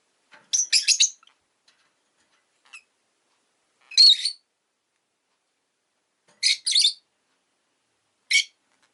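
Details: Pet rosy-faced lovebirds, one of two newly added to a household, give harsh, shrill chirps in short bursts of two or three, spaced a few seconds apart, with near silence between and street noise possible.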